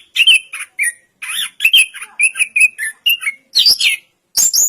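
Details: Song of the orange-headed thrush, called anis kembang, made of short burry warbles and whistled notes in separated bursts, ending with a couple of high squeaky phrases.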